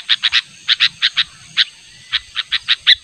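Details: Sooty-headed bulbul giving an insistent natural call to summon a rival, used as a bird lure: a quick run of short, sharp chirps in twos and threes, then evenly spaced single notes, with a faint low rumble beneath.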